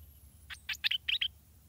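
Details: Stripe-throated bulbul chick at the nest being fed by its parents gives a quick run of six harsh, buzzy chirps in under a second, high-pitched and scratchy, over a quiet background.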